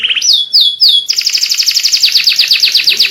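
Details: White canary tutor song meant to get young canaries singing along. Three arching whistled notes give way to a long, fast, evenly repeated series of bright falling chips.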